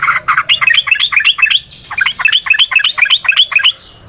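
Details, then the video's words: Trucukan, the sooty-headed bulbul, singing in a long continuous run meant as a lure for other birds: quick bubbling string of rising and falling whistled notes, about four per second, with no pause. "Trucukan GACOR ngalas ROPEL PANJANG suara alam AMPUH buat pancingan"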